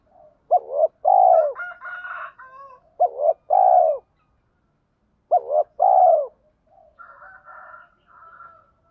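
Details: Spotted dove with a mixed thổ-đồng voice, cooing to rouse decoy birds. Three phrases, each a quick hooked double note then a long low coo, repeat a few seconds apart. Buzzy higher calls follow at the end.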